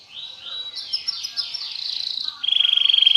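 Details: Canary delivering high, rolling song phrases that end in a loud, very fast, even trill on one pitch.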